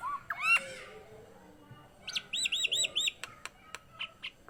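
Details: A Nias hill myna gives bright upslurred whistles, then a rapid series of four similar looping whistled notes, followed by scattered sharp clicks and short chirps.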